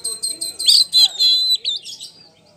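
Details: Oriental magpie-robin of the poci type, a prize-winning singer used as a lure, singing in ngeplong style. Quick high ticks lead into loud buzzy, harsh phrases and short whistles that fade out toward the end.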